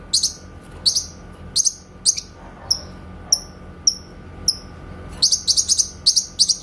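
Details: Grey-cheeked bulbul singing in its clean shot-style delivery for training shamas: several loud high chirp bursts, then a run of short descending whistled notes, then a rapid volley of chattering bursts.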